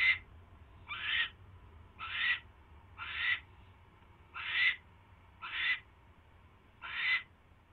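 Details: Rasping screech series from an owl catching a mouse, 28 January 2016 at night: seven short noisy bursts, each with a faint whistled streak inside, spaced about a second apart, with a soft background hum.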